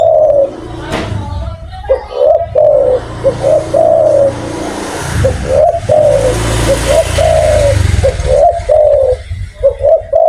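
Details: Spotted dove calling loudly and often, giving a steady run of low, mellow coos in short repeated phrases, with a constant rumbling low background noise underneath.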